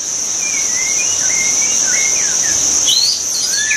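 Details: White-rumped shama in the wild giving a meandering string of faint wavering whistles, ending in a few higher sweeping notes, largely behind a loud shrill insect chorus.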